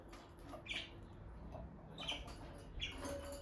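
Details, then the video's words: Bonded pair of peach-faced lovebirds near the nest box, where the female has been going in and out; three brief high chirps spaced about a second apart over a low hum. "Parrot Chirping Sounds – Relaxing Lovebird Couple Vocalizations"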